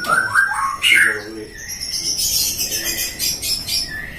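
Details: Captive-bred white-rumped shama from a hobbyist's breeding farm in Depok, Indonesia, kept as a competition songbird: a few clear whistled notes around the start, then harsher buzzy chattering and bursts of noise.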